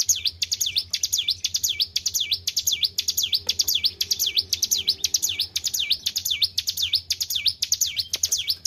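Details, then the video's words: Kept hill prinia in full, vigorous song after careful keeping: a steady run of high, sharp V-shaped notes, each sweeping down and back up, repeated about twice per second with an even rhythm. A faint low hum lies underneath. "GACOR IDOLA PARA SUHUU..BURUNG CIBLEK GUNUNG"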